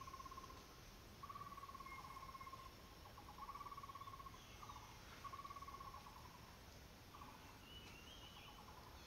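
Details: Indian black eagle raising chicks: faint series of rapid pulsed trills at a mid pitch, each lasting about a second, repeated every one to two seconds over a steady background hiss.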